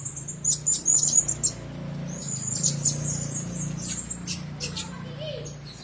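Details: Caged blue-crowned hanging parrots: short bursts of piercing high twittering notes, then a thinner drawn-out squeal, over a steady low hum and scattered clicks.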